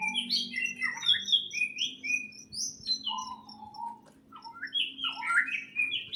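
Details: Birds chirping in a greenhouse: a busy mix of short high tweets, trills and downward-sliding whistles, several calls overlapping, with a steady low hum running underneath throughout.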